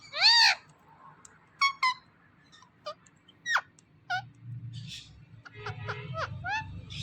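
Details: Talking ringneck parrot (rose-ringed parakeet) uttering a string of short, sharply modulated syllables like spoken words, loud at the start, followed by a person saying mitthu, mitthu, with low rumbling noise later.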